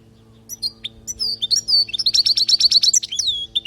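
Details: European goldfinch from Palestine singing a teaching song for training young birds: twittering high notes, then a fast run of repeated buzzy trilled syllables near the end, closing with a down-slurred whistle. Steady low hum underneath.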